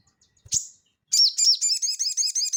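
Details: A single sharp high note from a crested jay (sogon) in the gacor ngeleper style, used as training audio for cage birds, then a loud, even, rapid series of repeated chattering notes.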